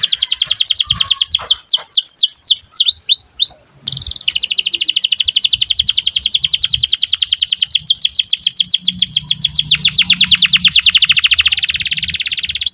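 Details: Canary performing lively, ornate song used to teach young canaries; quick swooping whistles give way, after a brief pause, to a long rapid roll of evenly spaced pulses running for about nine seconds.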